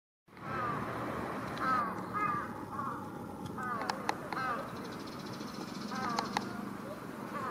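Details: In Japan in mid-June 2019, around 18:10 at dusk, juvenile large-billed crows perched with their family on an electric cable beg a parent for food with hoarse, nasal caws, single at first, then rapid clusters, over a low rumble.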